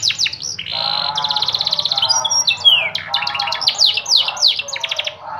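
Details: Yellow canary in full song, switching quickly between high rattling trills, a lower rolling buzzy tour, and bright falling slurs in rapid series, with hardly a pause throughout.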